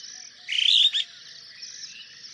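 A superb starling gives one harsh, scratchy chatter of about half a second, high and slightly rising, over a steady high hiss.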